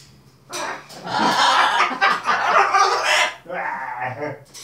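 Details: Two pet macaws cackling while playing with their owners and tea towels, a harsh, noisy, laugh-like chatter in dense bursts lasting about four seconds, with a few softer calls near the end.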